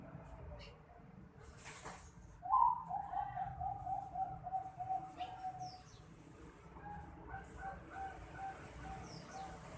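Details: Zebra dove chick of the Bangkok line, aged 4.5 months, opens with a sharp note, then a rapid rolling trill of level notes lasting about three seconds. Quieter chirps follow, with a brief hissing noise before the call.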